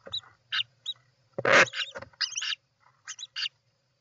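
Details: European roller at its nest on 29 June 2024 gives brief scratchy notes, then a loud broad rasping screech, followed by a run of buzzy chattering calls and two short sharp notes, with a quiet background hum.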